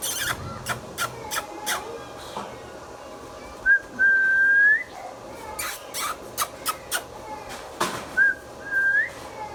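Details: Pet Indian ringneck parakeet indoors giving two short rising whistled notes that slide upward, each about a second long, between sharp clicks and taps at an uneven rhythm, with a low steady hum underneath.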